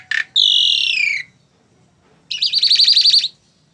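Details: ['Tame Asian pied starling giving a short harsh note, a long drawn-out buzzy descending squeal about one second long, a pause, then a fast rattling trill of rapidly repeated notes.']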